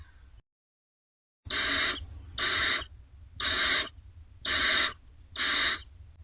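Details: Barn owl owlets, nest box C, 30 May to 4 June 2025: after a brief silence, five evenly spaced harsh, rasping hisses about one per second, each lasting close to half a second.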